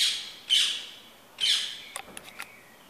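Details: Morning garden sounds on 31 May 2017: Rose-ringed Parakeet gives two harsh, grating screeches about a second apart, then a few brief sharp ticks from another bird, possibly a blackbird.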